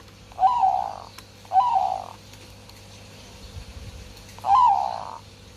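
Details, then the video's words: Captive zebra dove in breeding condition singing: three soft, rolling cooing phrases of about half a second each, the first two a second apart and the last after a longer pause, over a steady low hum. "Suara Burung Perkutut Sedang Birahi"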